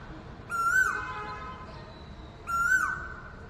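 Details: Early-morning Asian koel perched on a wire outside a window, giving two loud, ringing calls two seconds apart, each a quick upward-swooping whistle ending in a falling slur, with quiet steady hum between.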